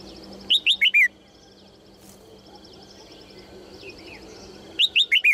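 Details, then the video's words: Female red-whiskered bulbul calling cheerfully to encourage males to sing: two bursts of four quick, loud, bright slurred notes, one near the start and one near the end, with soft twittering in the quiet between. "นกหัวจุก birds - เสียงนกตัวเมียส่งเสียงเจื้อยแจ้วจูงใจนกตัวผู้ให้ร้องเพลงอย่างมีความสุข"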